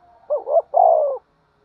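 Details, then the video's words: Spotted dove, fighting and calling: one phrase of a bouncing two-note coo followed by a long, gently falling coo, over a faint hum. "cu gáy thúc đấu & gáy gọi"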